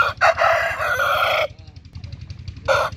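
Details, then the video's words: Rooster giving a long, raspy crow of several choppy segments for about one and a half seconds, then a quieter stretch with low rumbling noise before another crow begins at the end. "Roosters Crowing"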